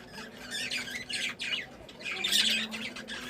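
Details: Happy budgies give a dense, squawky high chatter in overlapping bursts, rising to a louder scratchy flurry after a short dip, with a faint low hum underneath.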